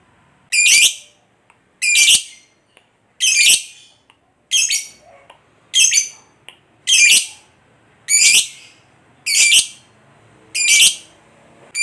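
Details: Lovebird calling, with sound aimed at provoking other lovebirds: sharp, harsh high squawks, each brief and descending, repeated roughly every 1.2 seconds in a steady series.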